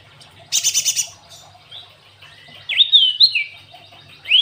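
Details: Cinereous tit (glatik watu) singing canary-filled song: a dense buzzy rattle of five rapid pulses, a pause with faint whistles, then loud slurred rising and falling whistles and a final upward note.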